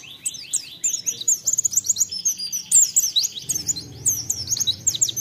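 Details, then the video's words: A white-eye sings a rapid, continuous stream of very high, thin chirps and twitters, with quick rising and falling notes and no pauses. "Pancingan Pleci Ampuh Untuk Merangsang Cepat Bukpar"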